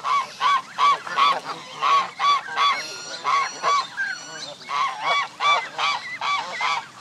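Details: Canada geese at Jess Ranch Lakes Park on May 23, 2014, gathered with many gosling families, honk in a loud, overlapping chorus of nearly three nasal honks a second, some slightly higher and wavering.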